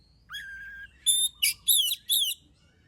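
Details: A singing oriental magpie-robin, called kacer, used to set off other birds' song: a long rising-then-level whistle followed by four loud, buzzy, swooping notes in quick succession.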